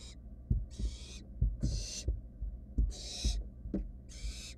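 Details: Barn owl nestlings, wild, in a nest box, searching for food a sibling swallowed: five or six harsh screeching hisses in quick succession, mixed with sharp taps and thumps from moving chicks.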